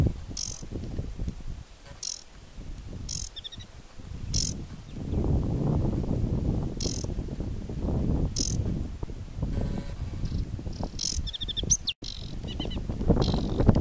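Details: Wild aquatic warbler recorded at the Chełm carbonate peatlands, July 2015, repeating brief high buzzy bursts every second or so, with occasional short chattering phrases, against strong wind noise.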